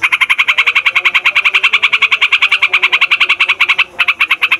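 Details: Rolling song of a Yellow-vented Bulbul, locally trucukan, used to lure wild birds: a steady, very fast run of throaty chirps about four per second, briefly interrupted near the end before resuming.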